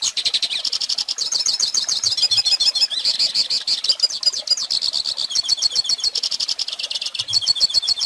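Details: Hooded siskin in full song, a recording for teaching young birds. Fast, high chatter mixes twittered notes with buzzy, rattling trills in an unbroken run.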